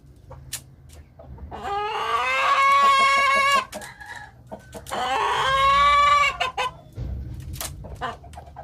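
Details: Rooster in a village crowing twice, each a long harmonic-rich cock-a-doodle-doo held about two seconds and ending in a sustained tone, with clicks and low rumbling background noise between crows.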